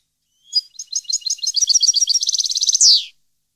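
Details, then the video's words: Goldfinch singing in 2015, one continuous phrase of bright liquid twitters that accelerates into an even, rattling trill and closes with a loud wheezy downward buzz; no other sounds. "Goldfinch song 2015/ Canto Jilguero Parva 2015"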